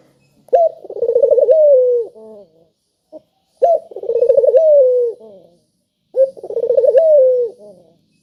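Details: Lure calls of a spotted dove meant to set other doves calling: three evenly spaced phrases, each a clipped first note, a fast quavering roll and a long falling tail.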